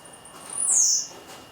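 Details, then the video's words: Blue-black grassquit singing in the heat on 7 May, late morning, after singing all day. A single brief, thin, buzzy note that sweeps high and drops sharply, over a quiet hiss. "Tiziu cantando d+ quente"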